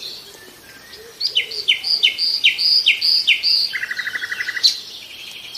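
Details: Nightingale song: a series of about eight loud, sliding whistled notes repeated twice a second, ending in a fast dry rattle, over soft background twittering.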